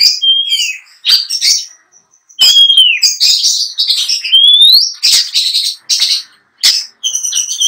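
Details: Caged long-tailed shrike, a trophy-winning contest bird, in lively mimicry-filled song. Rising whistled slurs alternate with harsh, scratchy chatter bursts, separated by short silences.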